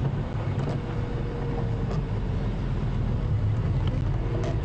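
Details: A vehicle engine drones low and steady during a sunrise safari drive, with no animal call standing out.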